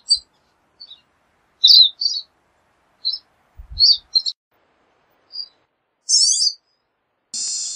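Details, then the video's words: Pine siskin (Spinus pinus) giving scattered high twittering notes and short chirpy phrases, ending with a rising buzzy zree. "Pine Siskin Song! Call! Sound! Singing! Chirp!"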